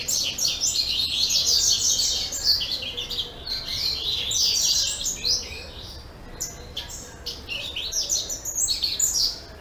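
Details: Captive double-collared seedeater, recorded 10/04/2014, delivers a long continuous high song of fast repeated chirps and buzzy trills, phrases running almost without break with brief dips between bursts.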